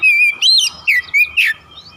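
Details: Oriental magpie-robin lure song meant to provoke other kacer into singing. Five quick, loud whistled notes, some flat and some arching or dropping, pour out within about one and a half seconds, then fade into a low hum.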